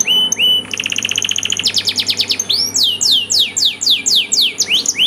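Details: Ornate canary training song, 'cengkok mewah' style: short whistles lead into a quick even trill, then a series of loud downward-swooping whistled notes. Faint low hum in the background.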